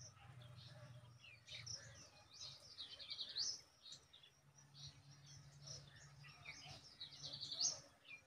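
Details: Nestling birds waiting for their mother to feed them bugs beg with bursts of high, thin, excited chirps that come in two surges, over a low steady hum.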